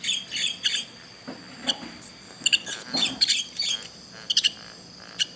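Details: Chicks calling: short high chirps in scattered bursts, some doubled, over a quiet background with faint low noises.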